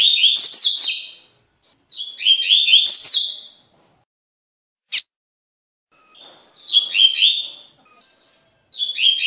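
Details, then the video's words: Tui tui song of a lined seedeater for training birds: rich buzzy phrases of tumbling high notes repeated about every two seconds, with one sharp chip and a short pause before more phrases. "BIGODINHO CANTO TUI TUI PARA ENCARTE"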